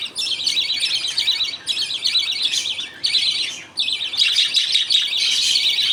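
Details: Caged budgerigars at feeding time, with the father feeding millet paste to two young and the others waiting their turn. Scratchy, warbling chatter comes in bursts, then merges into a longer run.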